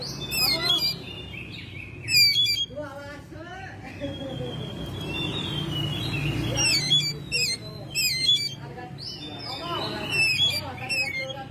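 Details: Caged Oriental magpie-robin kept at home, singing in May: loud bursts of sharp, rapidly repeated chattering notes alternate with sweet whistled and slurred phrases, over a low background hum.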